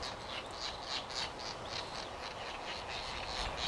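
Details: White Tern (Gygis alba rothschildi) at Midway Island in 1999 gives harsh, buzzy high notes, about three or four a second, over a steady hiss of wind or surf.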